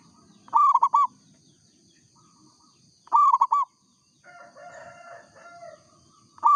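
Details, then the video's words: Local-strain zebra dove singing actively: a bright, rapid cluster of three to four staccato cooing notes, repeated about every two and a half seconds, with faint chattering from other birds between phrases and a steady high hum. "perkutut lokal gacor suara asli bikin ribut sekampung"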